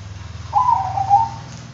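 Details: Single rolling coo from a Bangkok-type zebra dove, a mellow, slightly trilled phrase near one second long that drops a little in pitch, over a constant low background hum.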